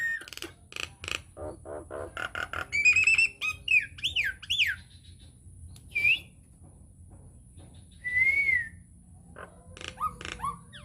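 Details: Lure song of a Nias hill myna meant to set other mynas singing. It opens with clicking bursts, then loud looping whistles and a pure falling whistle, with separated harsh notes and pauses between phrases.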